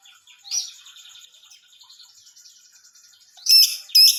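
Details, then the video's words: Female Grey-cheeked Bulbul in full song: a rapid chattering series of thin high notes, ending in two loud, harsh, buzzy calls half a second apart. "Cucak jenggot betina full beset gacor"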